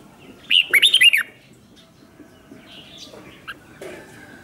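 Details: Red-whiskered bulbul kept as a lure bird, singing to call wild bulbuls in to sing and fight. One quick warbled phrase of about six bright, bouncing whistled notes, then near quiet with faint scattered chirps.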